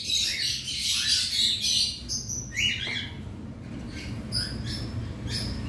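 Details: Around 100 cockatiels in a colony aviary during cage cleaning. A loud flurry of harsh, rising squawks at first gives way to sparser, quieter chirps, with a low background hum.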